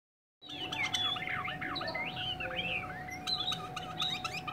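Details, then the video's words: Chinese hwamei from Hanoi singing a rapid, varied run of warbled, swooping whistles between mid and high pitch, with a steady electrical hum beneath and a few sharp high clicks near the end. "họa mi"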